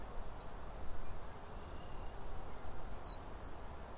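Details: Eastern meadowlark in southern Ontario, Canada, giving a short burst of clear, slurred, descending whistles high in pitch near the end, over a steady low rural background rumble.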